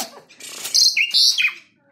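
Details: Caged, tame Asian pied starling singing steadily as a lure to provoke other birds to sing: short bright high chirps and squeaky notes in a quick two-second burst, then silence.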